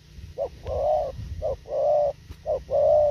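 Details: Fast thổ khàng cooing of a spotted dove: three evenly paced pairs, each a clipped short hoot leading into a drawn-out steady note. A low hum runs underneath.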